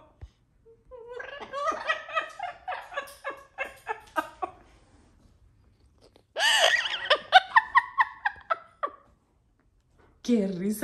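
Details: A pet Amazon parrot cackles an imitated "evil" laugh in rapid nasal 'ha-ha' bursts, pauses, then launches another round, while people laugh and clap along.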